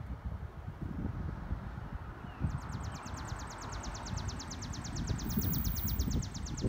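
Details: Sparrow song starting a few seconds in as a fast, dry, high-pitched trill of evenly spaced pulses that runs to the end, with constant low wind and rumble underneath.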